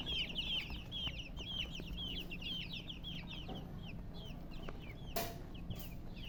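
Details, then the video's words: Young chickens give bright, descending whistled peeps in quick runs, thinning toward the end, where two sharp knocking clicks break in; faint low hum throughout. "MURGI Baby "Chicks Chirping" Sound"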